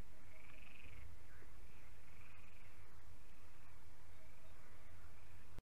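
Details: An osprey at a nest in Estonia, one of the pair Ivo and Iiris, gives a string of thin, high whistled notes, each gently rising then falling, about one per second, over a steady low wind rumble.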